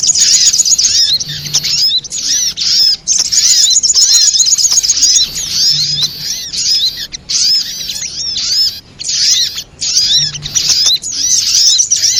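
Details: High, hurried twittering of the sogok ontong spiderhunter, used to lure birds for trapping, comes in repeated bursts with short breaks, mixing sharp metallic chirps and curved squeaky notes.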